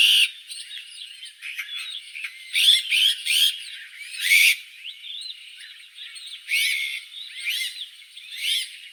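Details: Azure-winged magpie: a busy run of short harsh rasps mixed with thin whistled notes and chattering phrases, loud bursts coming about every half second, then a looser series of buzzy, rising notes.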